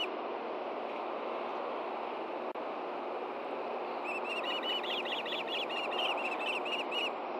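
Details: Osprey at a camera-watched nest in Hellgate Canyon, Montana, on a June 2014 morning, with the male bringing a fish to the female; after four seconds of steady rushing background, a quick string of high, squeaky whistled chirps repeats evenly.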